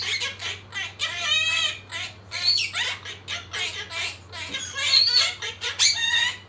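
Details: Household monk parakeets chorus a learned song in rapid squawky, speech-like bursts, with a steady low electrical hum running underneath.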